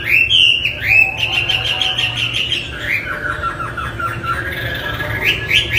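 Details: Chinese hwamei singing on a tutor track for murai, kacer and cendet; upslurred whistles open into a trilled run of repeated notes, then lower, descending chatter and a few final rising whistles.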